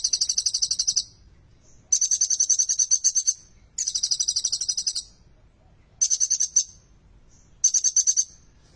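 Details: Olive-backed sunbird, locally kolibri ninja, in vigorous song featuring bar-winged prinia (ciblek) material: five shrill, fast-pulsed rattling trills, each about one to one and a half seconds, repeated with short pauses against a quiet background.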